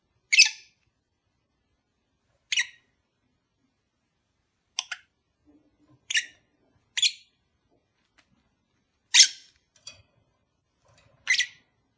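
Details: Lovebird pair kept indoors, calls meant to encourage mating: short, sharp single chirps repeated every one to two seconds, with light clicking sounds between them.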